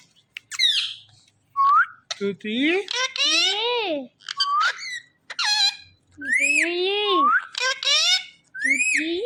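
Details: Indian ringneck (rose-ringed) parakeet talking: squeaky, nasal, speech-like phrases of rising and falling harmonic syllables, delivered in bursts of one to two seconds separated by short silent pauses.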